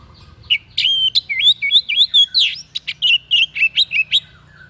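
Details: Unusual song of a white-breasted bird, kept for tutoring other songbirds: a rapid run of high whistled notes, some sliding up and down, others short and sharp, delivered in a continuous lively string.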